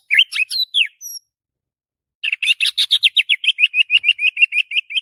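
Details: Morning song of a white-rumped shama said to be excited and singing nonstop: a few loud sweeping whistles, a silent gap, then a long steady series of sharp, rapidly repeated chattering notes.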